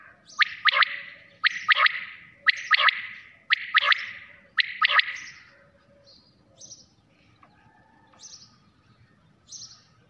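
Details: Quail calling at night: five clear, sharp three-note phrases, one about every second, then quieter faint high notes.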